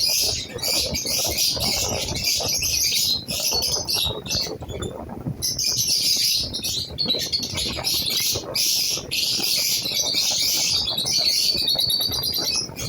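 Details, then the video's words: Lovebirds, a new pair just placed together, chattering constantly in high, shrill chirps with brief dips, along with rustling and clattering noises underneath. "love birds k new pair lagay"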